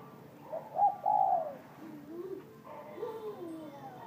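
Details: Noon cooing of a spotted dove with a warm voice, said to already give the quiet 'gù trộm' coo; one clear hollow phrase of two mellow notes, followed by softer lower sliding sounds.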